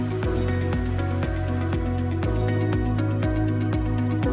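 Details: Steady instrumental music with a low sustained drone and a soft beat twice per second, with no animal calls.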